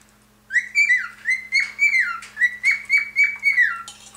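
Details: A male cockatiel sings a quick run of clear whistled notes, each slurring up and then dropping, singing constantly beside his quiet, preening female mate.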